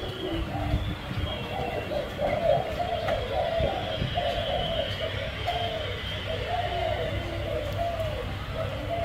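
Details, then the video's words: Caged spotted dove giving a series of soft, low, rounded coos in uneven groups, beneath constant low rumbling noise with faint music and speech. "Cu gáy bông hoa đen"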